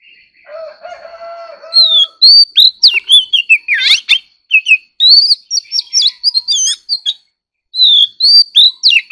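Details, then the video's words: Oriental magpie-robin in competitive singing: a low sustained tone opens, then a long energetic series of loud whistles, slurs and buzzy sweeps, pausing briefly before a final few clear notes. "choè than kích hót || choè than hót đấu"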